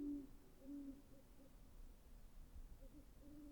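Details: Great horned owl with two deep hoots near the start, then fainter low notes trailing off over a low, humming background.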